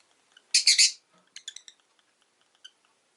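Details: Rosy-faced lovebird giving a burst of three loud, harsh, high chirps run closely together, followed by a scatter of softer, shorter chirps over the next two seconds in an otherwise quiet setting.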